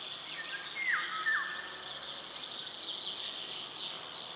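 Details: Eurasian golden oriole singing in Latvia on 16 May 2012: two quick, fluty whistles swoop downward near the start, over a steady background of thin chirping and hiss from insects or distant birds.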